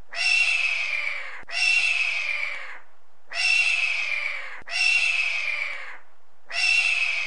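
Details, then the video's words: A hawk gives five harsh, hoarse screams, each about a second long and slurring downward, spaced a little over a second apart, with nothing else heard. "Hawk sound"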